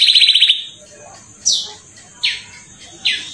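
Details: Atlantic canary kept as a lure singer for other canaries, giving a short rapid trill followed by three separated loud downslurred whistles about a second apart.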